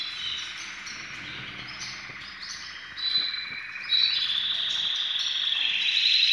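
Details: Canaries all described as ready for breeding, singing a continuous high, rapid twittering song that grows louder and fuller toward the end into sustained rolling trills.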